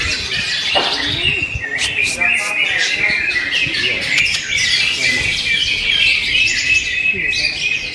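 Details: A greater green leafbird chatters in a fast, dense song of high squeaks, clicks and whistled fragments, continuous and varied, with faint low sounds in the background.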